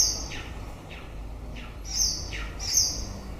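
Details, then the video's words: White-rumped shama singing as the breeding season closes: high clear whistles alternating with lower downward-sliding notes, about four phrases in three seconds, low hum behind. "Chòe lửa bông hót cuối mùa sinh sản"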